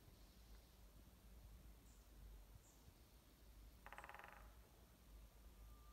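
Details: Unseen Japanese Green Woodpecker drumming at the Haruna-Fuji trailhead, where it was also heard calling; a single quick roll of about half a second of rapid even knocks over a steady low rumble with faint high chirps.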